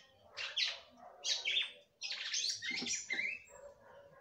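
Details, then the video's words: Female red-cowled cardinal song meant to stir up the male, delivered in short separate bursts of high sweeping whistles and chirps, a brief silence before a longer jumbled phrase. "FÊMEA DE GALO DE CAMPINA CANTANDO MUITO PRA FOGUEAR SEU CAMPINA"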